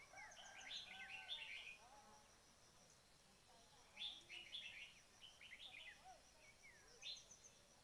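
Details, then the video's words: Red-whiskered bulbul call played or heard at a trapping site as a lure. Quick bursts of high, chattering chirps are separated by pauses of a second or more against faint steady background hiss. "Bẫy chim chào mào - cuab noog diab"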